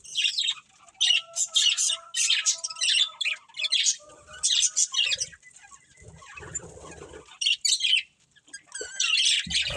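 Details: Pair of breeding budgerigars calling in separate bursts, loud squeaky chirps and warbled phrases spaced a second or so apart, with a softer rustling stretch midway.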